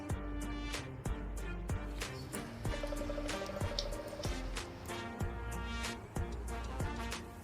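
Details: Only gentle background music with a steady beat and sustained tonal notes; no animal voices.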